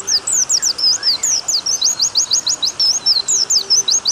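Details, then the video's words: Oriental white-eye (pleci) song used as a training recording for caged pleci, a long rapid series of high, sharp rising and falling whistled notes, closely repeated; water sound mentioned as therapy, faint steady hiss beneath. "MASTERAN PLECI nembak panjang plus suara air membuat pleci buka paruh,pleci gacor dan pleci ngalas."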